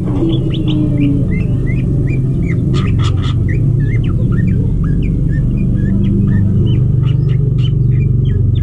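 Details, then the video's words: Captive-bred greater green leafbird during mating, giving quick bright chirps and curled whistled notes about four per second, with a few sharp clicks and a heavy steady low hum beneath. "Ngintip Burung Cucak Ijo Kawin"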